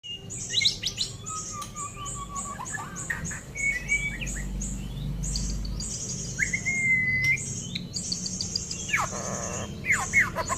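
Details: Young white-rumped shama, six months old, hatched 12 October 2024. Varied song of clear whistled notes, fast high repeated chips, and sweeping slurred phrases. Some low background rumble.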